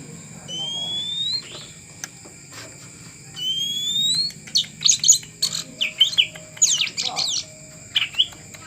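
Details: Caged oriental magpie-robin, or kacer, being trained to become tame: clear rising whistles early on, then a burst of quick varied chirps and trills in the second half, with low background hum.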